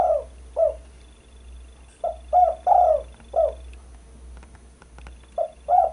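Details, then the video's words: Spotted dove recorded as a bird-luring sound: low mellow coos in short groups, about three phrases of two or three notes each, repeated every two to three seconds over light clicking. "Suara burung pikat derkuku"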